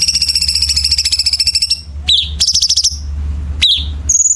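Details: Chinese bulbul training song with dense harsh fills for competition birds. A long, rasping, rapidly pulsed buzz opens, followed by swooping chirps, a short buzzy burst, and a thin high whistle, over a low drone.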